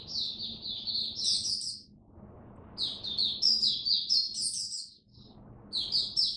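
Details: Oriental white-eye, a caged bird during cold rainy weather, giving three bursts of fast high twittering song broken by hissing background noise between phrases.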